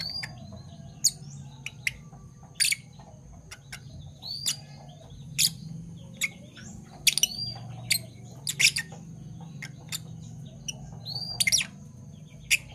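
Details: Fischer's lovebirds, parblue violet and parblue turquoise colour forms, kept as pets, chirping in the morning: short sharp broadband chips and upswept squeaks scattered irregularly, several close together, over a faint steady background hum.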